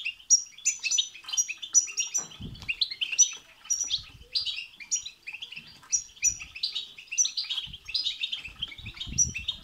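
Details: Excited goldfinch song used to make a goldfinch sing, a dense stream of liquid chirps, jingling trills and high piercing notes, faint low bumps in the background.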